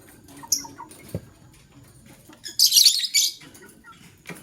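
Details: Male lovebird choosing a partner, heard in the morning: a dense burst of high, harsh chirps lasting under a second, preceded by scattered short squeaks and a few clicks.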